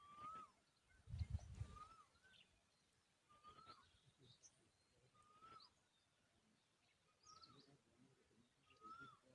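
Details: Tailorbird at its nest, feeding its chicks a butterfly; a short slurred whistle, rising then falling, repeats about every two seconds, with faint high chips between and a brief low thump early on.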